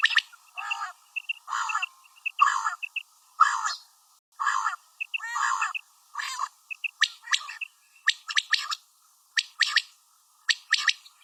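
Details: Female common quail calling with evenly spaced raspy bursts about once a second, soft whistled pips in between, then a faster run of thin sharp clicks.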